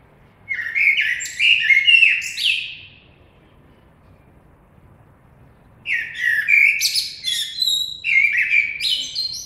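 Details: Common blackbird singing two separate phrases about three seconds apart, each opening with rich, low fluting whistles and breaking into a scratchy, high-pitched twittering end, with faint background rumble.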